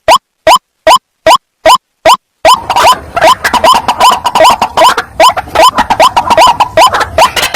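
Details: White-breasted waterhen calls used as a lure to trap wild waterhens, for day or night use. Harsh, rising notes repeat about two or three times a second. They build into a dense, overlapping chorus of the same notes.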